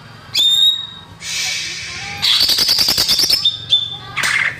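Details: Greater green leafbird song used as a lure for young birds: sharp whistled notes, a harsh buzzy stretch, then a fast rattling trill and further clipped whistles.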